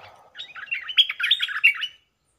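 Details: Caged decoy stripe-throated bulbul singing against captured wild birds: a brisk, bubbly chattering warble of quick liquid notes lasting about two seconds, rising in strength toward the middle, then stopping abruptly, with no other sounds.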